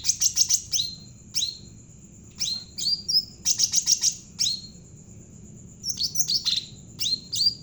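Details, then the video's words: Bulbul called cucak ranting jawa, singing actively to lure other birds into song: repeated sets of rapid high chirps each ending in a falling whistle, several phrases with brief pauses, faint steady high tone behind. "burung cucak ranting jawa gacor cocok buat pancingan burung bahan"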